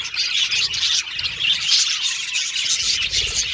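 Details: A group of pet Australian budgies in loud, lively twittering, with thin whistles and chirps crowded together, steady and unbroken.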